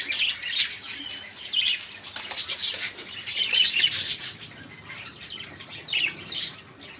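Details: Busy chatter of budgerigars, played to stir other caged birds into song: continuous thin, rasping twitters and short whistled notes blending into a steady high murmur.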